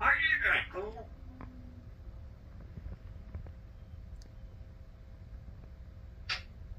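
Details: A 9-year-old talking African grey parrot on a laughing and talking rant gives a burst of speech-like, warbling talk, then a couple of short clicks and a sharp squeak over steady room hum.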